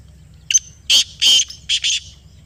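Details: Black francolin in Pakistan replying to a played call with a hoarse phrase: a short sharp opening note, two long loud rasps, then two quicker rough bursts, each distinctly separated.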